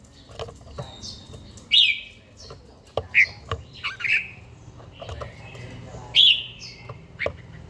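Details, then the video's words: Caged older red-whiskered bulbul trained to sing each morning, with a forest voice. Short loud whistled notes and brief warbles repeat at intervals of one to two seconds, mixed with cage clicks. "chàomào HÓT SÁNG, LUYỆN CHIM HÓT HẰNG NGÀY"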